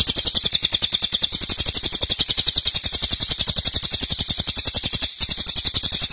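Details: Cililin in loud, long-lasting 'nembak' song: a dense, fast high rattle of sharp pulses held steadily throughout, with one brief break near the end and no other clear sounds.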